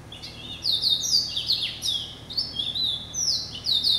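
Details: Hybrid finch, a Yellow-eyed canary and Timbrado cross, sings steadily: repeated high swooping whistles and rapid chirps linked in one unbroken warbling stream.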